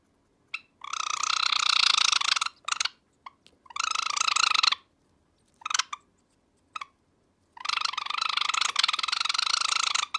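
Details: A pet cherry Java sparrow, angry at the owner's finger at night, gives harsh, rolling, rattling bursts of one to two seconds, broken by short sharp clicks, in a quiet room.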